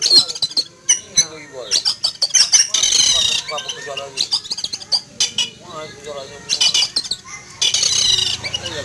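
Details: Alarmed caged Oriental magpie-robin in a yard on a morning, reacting to an eagle flying overhead; rapid scratchy rasps and thin high whistles pour out in dense bursts, with men's voices talking underneath.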